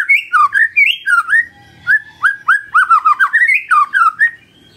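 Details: Magpie-robin morning song meant to coax a silent bird into replying: fast, varied whistled phrases, rising and dropping, delivered in a steady stream of about four notes per second with short pauses.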